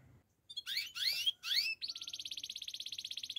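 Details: Russian canary: after a brief pause, three bursts of rising, chattering notes, then a long evenly pulsed buzzy roll that keeps the same pitch.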